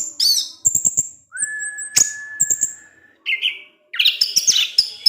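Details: Orange-headed thrush evening song that provokes rival thrushes; high whistles, a long steady lower whistle, then a burst of rich varied chattering phrases.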